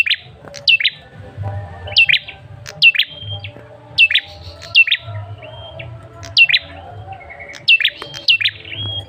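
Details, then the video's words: Male red-headed tailorbird call used as a lure to prompt a response: sharp high whistled notes with quick downward-hooked strokes, sometimes ending in a short flat whistle, given in small bursts every second or so against a faint low hum. "Suara pancingan Prenjak Kepala Merah jantan"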